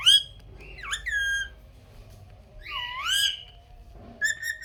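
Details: Pet parrot making scattered raspy, wavering calls and bent whistles over a low steady hum, ending with clipped squawks.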